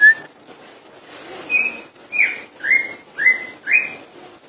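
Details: Song of a common iora: ringing whistles repeated about every half second, each note rising sharply then trailing off, with a soft steady background.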